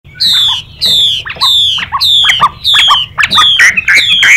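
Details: Chinese hwamei singing a fighting-style song with a female calling alongside: loud, clear whistled notes that slide downward, repeated in a steady series of about eight phrases, each ending in a lower slurred note.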